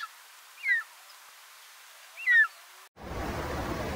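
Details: Short-toed Snake Eagle giving two brief, clear downslurred whistles about one and a half seconds apart, then an abrupt switch to loud broadband rushing noise.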